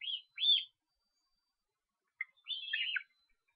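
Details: At an Estonian osprey nest on 13 July, young being fed give two quick downslurred whistles, then after a pause a longer wavering run of whistled notes.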